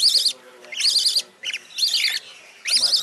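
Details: A rainbow budgerigar chick, the youngest in its nest box, pressing against its siblings to get warm, utters harsh buzzy, quavering calls in short bursts with brief gaps.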